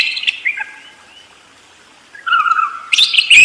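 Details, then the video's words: Budgerigar chatter, a scratchy warble fading into a pause, then a rising burst of whistled and clicking notes. "SUARA BURUNG PARKIT ‼️ NGEROL DERES GACOR DOR"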